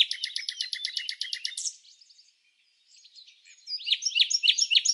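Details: Red-backed fairy-wrens, Samsonvale, Australia, non-breeding season: a fast, loud series of sharp repeated high notes for over a second, then quiet soft chatter and a burst of lively swooping chips.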